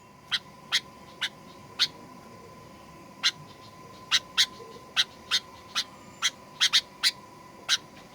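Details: Sooty-headed bulbul in a 'pikat gacor fighter' lure recording meant to provoke birds into aggressive singing: short bright chirps, about fourteen in eight seconds, spaced irregularly, over a steady faint electrical hum.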